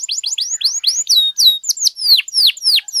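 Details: Canary in full song, used to stir other canaries to sing: rapid repeated rising whistles give way to longer, louder descending slurs, roughly three to four per second, clean and shrill.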